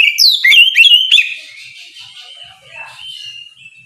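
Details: A morning ngeplong song from an Oriental magpie-robin aimed at provoking rivals opens with loud, sharply dropping whistles, then trails off into softer, thin sustained notes.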